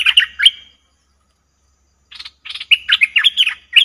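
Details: Cream-vented bulbul lure call used for trapping, dated 02/11/2021: a brief cluster of bright chirps, a pause, then a fast run of bubbling, warbled notes rising and falling.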